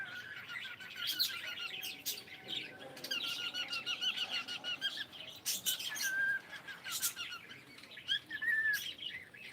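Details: Pet cockatiel greeting with good morning: a long stream of chattering chirps and short whistled syllables, some sliding downward, broken by sharp clicks, continuing without a long pause.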